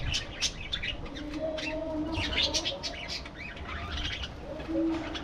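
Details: Aviary budgie colony chattering, bursts of warbled chirps and squawks with a few lower whistled notes, steady background hum.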